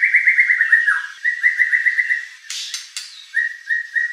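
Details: White-rumped shama singing to provoke a competition bird: a rapid run of repeated whistled notes, a short downward slur, another even run, a few sharp clicks, then brief separate whistles.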